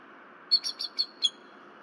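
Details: Female bald eagle on alert at night at a Berry College nest, February 2023, gives a short run of five thin, high notes over a quiet background.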